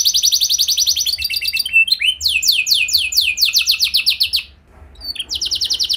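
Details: Canary lure song to make other canaries sing: a rapid high trill, then rolling repeated sweeping notes, a short pause, then another fast note series.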